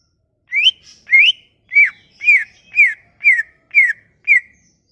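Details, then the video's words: Sumatran leafbird lure song to prompt leafbirds to sing: eight whistled notes roughly every half second, the first two rising, the rest arching and falling in a steady series. "Kicauan ini MAMPU memikat cucak ijo MACET bunyi"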